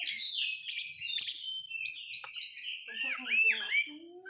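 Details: Oriental magpie-robin song used as a lure to set a bird singing, full of crecetan: loud harsh rasping bursts followed by sliding whistles and dipping, warbled notes in quick succession.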